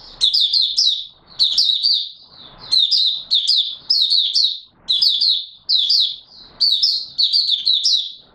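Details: Oriental white-eye, known locally as Mata Puteh Raja, singing openly on 24 March 2022: bursts of quick, thin, high-pitched chattering notes, each roughly one second, repeated after brief gaps.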